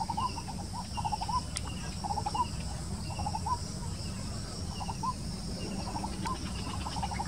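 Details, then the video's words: White-breasted waterhen calling in rapid, broken series of short croaking notes throughout, with brief pauses between groups, against constant high-pitched insect buzzing and low rumble. "White-breasted Waterhen and its Voice"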